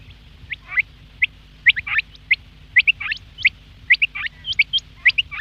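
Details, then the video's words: Quail in the morning giving mostly thin, high chirps, single or doubled, roughly once a second with a few rougher slurred notes between, irregular in spacing, over a faint steady low hum. "Quail Sound , Bater Ki Awaz subbha keliey ,Bedana Ovozi,бедана сайраши"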